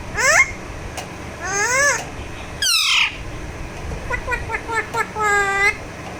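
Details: A massaged talking Alexandrine parakeet voices rising squeaky calls, a loud harsh squawk, then a run of quick clipped chattering notes and a long wavering speech-like phrase.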